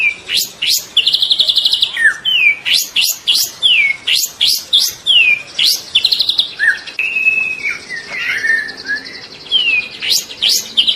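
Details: Energetic song of a juvenile White-rumped shama ('trotol'): a rapid series of sharp upward-swept notes, buzzy trills and falling whistles, followed by softer warbled phrases and more rising sweeps.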